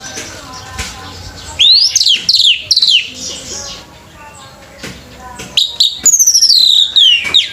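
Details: Orange-headed thrush singing at a bird singing competition: after a low murmur of voices, bright whistled phrases sweep down from high to mid pitch in quick succession, with clicks and brief pauses between bursts.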